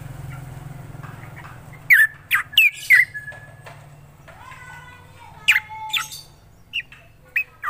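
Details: Actively singing black drongo delivers a few sharp, squeaky notes, then a long level whistle and scattered clipped calls, with a low hum beneath.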